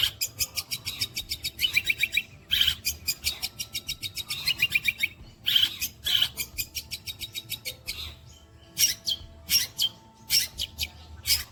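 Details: Long-tailed shrike singing mimicked phrases named kuntilanak, sparrow, petir and walang kecek; long trains of rapid dry ticks, sharp high chips, then spaced loud single notes near the end.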